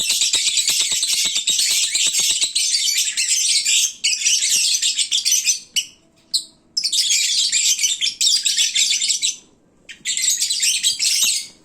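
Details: Lovebirds chattering at midday when full and sleepy: long stretches of piercing, buzzy twittering with rapid clicking early on, interrupted by a few brief gaps.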